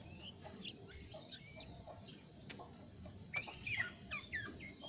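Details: A jongkangan calling, recorded as a lure so captive or wild birds start singing soon: scattered high chirps, then a cluster of sharp slurred whistles near the end, with two clicks and hiss.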